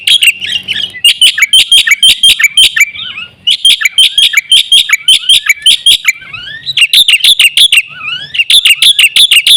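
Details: Lure song of a Black-winged myna: dense, rapid bursts of scratchy, high chattering notes mixed with short slurred whistles, repeated almost without pause.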